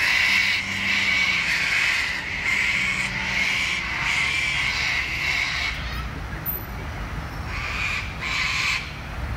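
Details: A flock of sulphur-crested cockatoos screech at dusk just after sunset at Wentworth Falls, Australian bush, 14 June 2021: harsh, grating, overlapping screeches in drawn-out bursts a second or two long, over a low background rumble.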